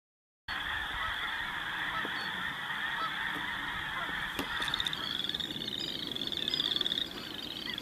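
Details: Snow geese feeding and loafing on Dakota prairies during spring migration, mixed with blue-phase birds, Ross's geese and other waterfowl; a dense chorus of overlapping nasal yelping calls from a large flock, growing louder after five seconds.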